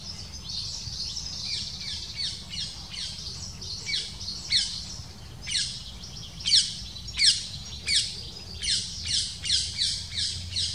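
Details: Black kite at its nest, female arriving with small prey and feeding chicks for several minutes, watched from a distance: thin, high, downward-sliding chirps in uneven runs, growing louder with several sharp peaks over a faint low rumble.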